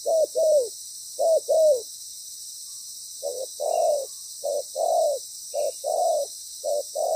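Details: Spotted dove decoy with a good, well-patterned song, calling during ground-decoy trapping. Two crisp pairs of downslurred coos come first, then a short pause, then several softer, rounder coo pairs. A high hiss runs throughout.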